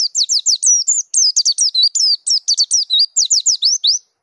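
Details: Dakun white-eye rolling nonstop in full song, showing off its repertoire: a continuous four-second stream of quick, piercing high whistles, mostly steep downslurs mixed with flatter and upturned notes, clean background.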